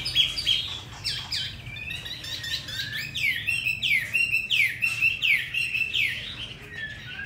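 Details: Caged Hwamei offered in Hanoi, Vietnam, praised for a wild forest-style voice and ready singing: a dense, rapid run of sharp downslurred and upswept whistled notes, bright and busy, over a faint low indoor hum.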